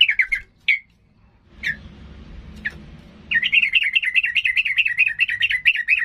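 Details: Agitated sooty-headed bulbul in full voice, said to provoke rivals into fighting: a few sharp chirps, then a fast, bubbly, up-and-down warbling run of rapid notes over a low background hum.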